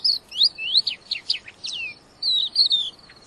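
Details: Crested lark singing in full voice, a wild-caught bird: rapid series of high descending slurred whistles, a brief gap, then a longer warbled phrase and a final note.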